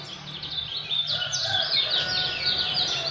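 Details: Lemon-bellied white-eye (kecial kuning), a caged contest bird, singing in the energetic 'ngejos' style: continuous high, thin chirps and twitters in quick succession over a faint low hum.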